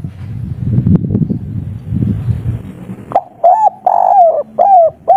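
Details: Spotted dove (derkuku, local strain) in kuk 3 song style, soft-voiced and vigorous. Low rumbling noise fills the first three seconds, then a clear phrase follows: short coo, a longer wavering coo, and two more brief arched notes.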